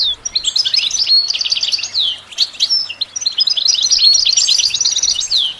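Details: Training song of a goldfinch: two bursts of lively twittering, each with a thin drawn whistle and a short falling note, separated by a brief quieter gap.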